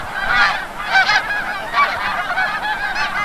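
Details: Snow geese flying in from the bay at sunset over Forsythe National Wildlife Refuge, Oceanville, NJ; clustered bursts of nasal honks swell and fade in irregular waves.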